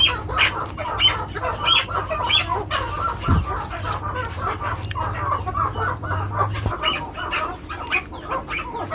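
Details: Young male chukar partridge of the Maskati type, seven months old, giving rapid clucking chuk notes in dense uneven bursts, roughly one and a half per second, over a low steady hum.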